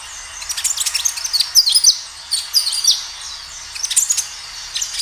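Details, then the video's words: Energetic natural kinoi song meant to coax other birds into replying: bursts of very high, sharp chirps and quick twittering notes, about one burst a second, with short gaps between. "Suara kinoi gacor"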